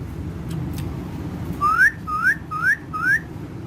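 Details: Parrot in the company of other parrots whistling a series of four clear rising notes, evenly spaced roughly every 0.4 seconds, after a quiet start with a couple of faint ticks.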